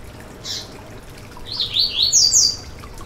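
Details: Song of a yellow-bellied seedeater, used for warming up a caged bird: one isolated high note, then a rising burst of rapid, slurred whistles climbing toward the end, with a low background hiss.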